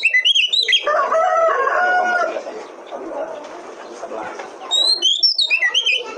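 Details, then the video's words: Oriental magpie-robin (kacer) recording meant to stimulate other kacer to sing. Quick whistled phrases open, a lower harmonic warbling call follows, background noise swells, then a fresh run of high whistled notes closes. "Pancingan Kacer Paling AMPUH,Untuk Pancingan kacer BAHAN agar Cepat Gacor"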